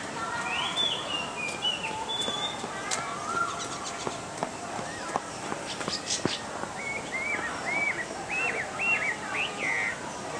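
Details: Chinese hwamei recorded on 6 February 2014, singing a series of loud clear whistled phrases, some rising and falling, repeated about once a second in the latter half, with fainter other bird chirps and background noise.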